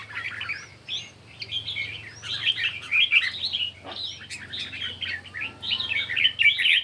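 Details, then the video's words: Red-whiskered bulbul in morning competition singing: lively warbled phrases rise and fall quickly, packed closely together with only brief pauses, over a faint low hum. "Chim Chào Mào Hót Đấu Buổi Sáng"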